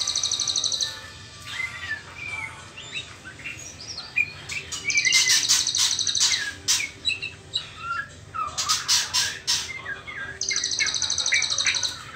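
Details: A young white-rumped shama in its trotol phase, before the pastol moult, sings a varied song of sweet slurred whistles mixed with harsh hissing bursts. Fast, high ticking rattles open and close the sequence.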